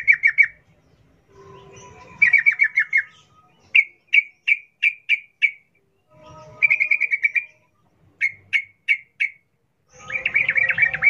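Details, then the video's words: Sooty-headed bulbul singing in the rapid ropel, wild ngalas manner meant to set captive birds singing: fast chattering runs alternate with sets of four or five spaced whistled notes, with a faint low hum between phrases. "Trucukan gacor NGALAS ropel Khas alam liar"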